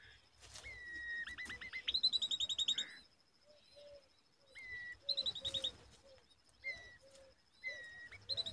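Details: Young common babblers perched on a date tree give flat whistles that break into quick rattling note series, in bursts separated by pauses, with soft low cooing notes of another bird in between.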